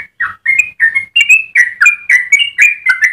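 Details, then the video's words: Melodious Yellow-vented bulbul song in long rapid phrasing, meant for tutoring and luring other bulbuls: fast run of bright, bubbly whistled notes, several per second, each slurring up or down. "Trucukan gacor ropel panjang cengkok termerdu untuk pancingan dan masteran"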